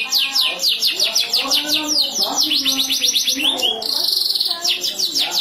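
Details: Canaries singing back and forth, answering each other: fast rolling trills of repeated high chirps, rapid descending sweeps and a buzzy sustained tour, loud and continuous, with faint low voices beneath.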